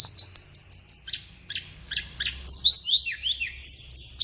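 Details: Flowerpecker master song for training captive birds, best played in the morning or afternoon: a run of very high, sharp ticks and short whistles, then a burst of falling slurred notes and steady thin whistles near the end.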